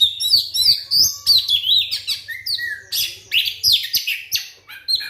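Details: White-rumped shama singing a lure song to get other shamas singing, a rapid, varied stream of whistles, trills and downward sweeps with a low hum behind.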